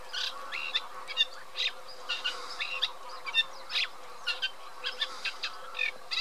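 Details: Eurasian reed warbler song heard slightly further off: loose series of harsh chirps and churrs in uneven clusters, over a low constant hum.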